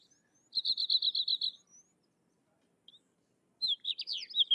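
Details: Sykes's lark song: an even, rapid trill of identical high notes, then silence, then a quick tumbling phrase of sharp rising and falling chirps.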